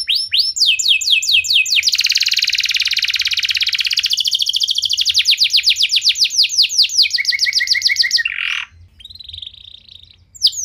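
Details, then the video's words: Singing canary used to prompt other canaries: falling notes speed into a long loud rattling trill, slow again into separate sweeps, a low stutter and harsh burst, then a thin quiet tone. "Kenari Anda Bisa Gacor Seketika Dengar Pancingan Kenari Nembak Joss Ini"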